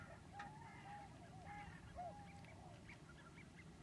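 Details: Common cranes gathered at Lac du Der in February during spring migration; several clear bugling, slightly wavering calls overlapping within a few seconds, over low background noise.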